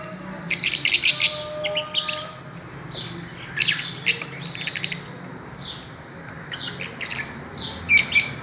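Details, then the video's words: Caged Fischer's lovebirds playing on a swing, giving bursts of sharp, high chirps and squeaky twitters in short clusters separated by pauses, over a low background hum. "Parrots playing and chirping | Parrots swinging in a swing"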